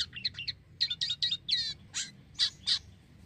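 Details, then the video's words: Black-winged myna in spirited song, intended as a lure for mynas: short clipped chirps in quick groups, then spaced, bright, sharp notes. "Jalak kapas Gacor"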